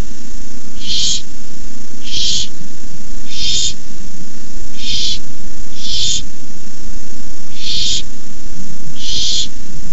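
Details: At night on 18 May 2015, barn owl nestlings hiss as a parent delivers a rabbit; seven steady, harsh hisses repeat about every 1.3 seconds in an even rhythm above a faint low-pitched drone.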